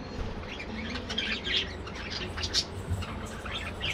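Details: An aviary colony of budgerigars chattering: quick overlapping chirps and raspy warbles in a steady jumble, with one brighter whistled note near the middle and a soft low background hum.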